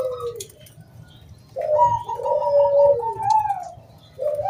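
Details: Zebra dove from the wild, local stock, calling to prompt other doves to sing: soft, drawn-out, hollow coos, one falling and another long and level, separated by short pauses.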